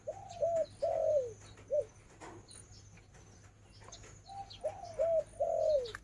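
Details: Female decoy Spotted Dove cooing two full phrases of short and drawn-out descending coos, with clicks and scattered knocking sounds between them.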